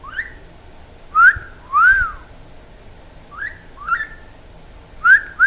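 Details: Quaker parrot, a talking pet bird, whistles sharp rising notes and a smooth arched whistle, then repeats short upslurred pairs; clean, loud whistles over a quiet background.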